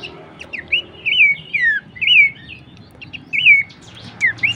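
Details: Horsfield's babbler song for songbird training: clean whistled notes curling up and sliding down, delivered in loose groups with short pauses between, against faint background chirps.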